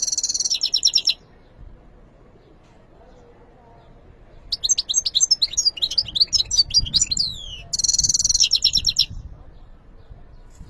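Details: Goldfinch singing in separate bursts: a brief bright buzzy twitter, several seconds of silence, then a longer jumble of rapid liquid chirps and falling whistles, and a final harsh, tinkling flourish.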